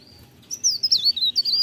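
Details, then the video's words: Short high warbled phrase of a leaf warbler in the morning, thin sweet notes sliding up and down in a quick tumbling sequence. "cikrak daun, pare pare, blerengan gacor pagi hari merdunya"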